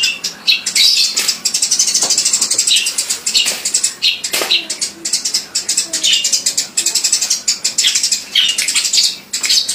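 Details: Loud sparrow chirping, a dense unbroken stream of short, high, harsh notes from several birds at once, rising and falling in bursts throughout.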